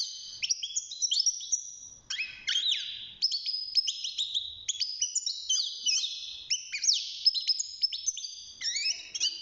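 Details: European goldfinch, a young caged bird of six months starting to sing: a long, continuous, rapid jumble of high tinkling chirps, trills and buzzy slurred notes with barely any pauses.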